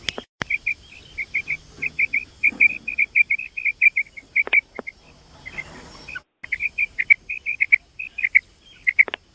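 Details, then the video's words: A female common quail gives quick runs of short, high, clipped notes, about four a second, in two bursts separated by a brief pause. "mada batair ki Kamal awaz batair ki awaz common quail sound"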